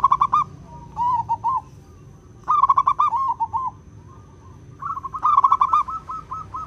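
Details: Local wild zebra dove (perkutut) singing, a song described as clear and crystal and good for luring birds; bursts of rapid, bubbly trilled coos repeat in phrases, ending with evenly spaced cooing notes, over a low background hum.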